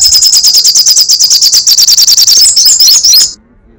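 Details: Sunbird crecetan song, a fast, even string of shrill ticking notes that turns into a tangled twitter before ending abruptly.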